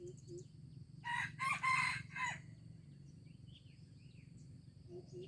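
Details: Crow of a junglefowl in Aceh, 25 April 2020, with four rough syllables packed into about one and a half seconds, followed by quiet background with faint high chirps and soft short notes.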